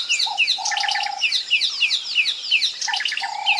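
White-fronted bee-eaters give a busy chatter of quick, high, slurred chirps, several birds overlapping about three times a second, over a steady lower whistled tone.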